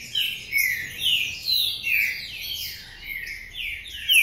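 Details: Green-winged saltator in Paraná song style, caged under a cover, delivering rich sliding whistles in pulsing bursts about every half second, bright and loud, with a stronger flourish at the end.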